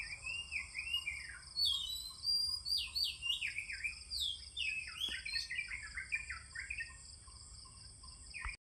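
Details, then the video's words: Morning song of an oriental magpie-robin, a run of clear whistled notes with swooping downslurs and quick twittering phrases, set against a continuous high-pitched insect hum. "suara burung kacer di pagi hari"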